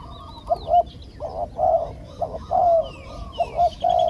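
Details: Spotted dove used as a live decoy to lure and capture wild doves, calling in a rural setting: low hollow coos in quick paired bursts, repeated about once a second, with faint high chirps of other birds behind.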